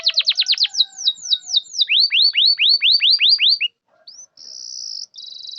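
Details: Canary singing to coax quiet, non-singing canaries into answering: quick descending chirps, then a run of upswept whistled notes repeated steadily, a brief pause, and a closing high buzzy trill.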